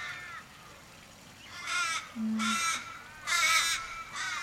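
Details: Australian ravens in a Kellyville, Sydney street on 1 July 2012, more than 15 circling a dying flock member and calling in distress; drawn-out harsh wailing caws in three loud bursts after a quieter opening call, with a short low hum.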